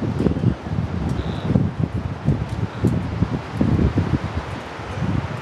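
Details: Rustling leaves and low wind rumble with irregular bursts of noise throughout, and no clear animal call heard.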